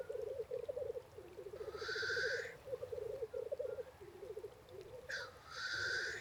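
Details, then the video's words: Black grouse calling at night near a tent while wild camping in Skarvan and Roltdalen National Park, Norway: continuous low bubbling, cooing trills, broken by two loud, harsh hissing sneezes. "Black Grouse Waking Up in the Night"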